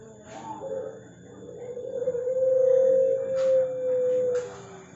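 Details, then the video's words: Puter pelung dove song: a breathy start builds into a long, even, clear coo held for about two and a half seconds, with faint clicks and hum behind. "9 Puter Pelung, suara dan karakter berbeda"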